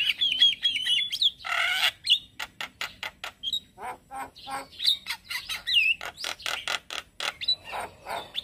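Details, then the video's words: Male Javan myna in morning song, used for luring and tutoring starlings: a jumbled, varied stream of high whistles, harsh rasps and clicking ticks, with one loud wheezy burst near the start. "Ocehan jalak Kebo Jantan Buat Pancingan Dan Masteran Burung Jalak Dipagi Hari"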